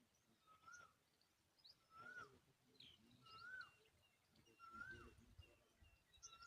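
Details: Tailorbird feeding a butterfly to its nestlings; clear slurred whistled notes, each rising then dipping, come about once every second and a half, with soft high twitters and light rustling behind.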